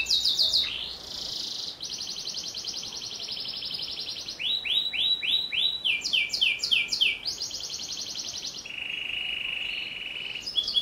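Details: Varied sharp canary song with long rolls: rapid high notes, a sustained buzzing trill, swooping repeated notes, then a low steady rolling trill near the end.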